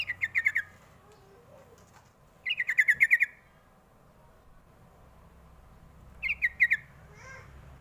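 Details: Sooty-headed bulbul luring call for drawing answers from young birds: three bursts of rapid, slightly descending bubbly notes, spaced several seconds apart, with a faint quiet note between.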